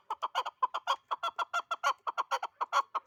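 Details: Hunting chukar partridge calling in a fast, steady series of clipped mid-pitched clucks, about six per second, each rich in overtones, with no other sounds.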